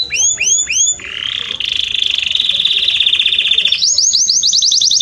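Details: Belgian canary training song: three paired upward-curving whistles, a long steady buzzy roll lasting over two seconds, then a rising run of fast repeated looping notes.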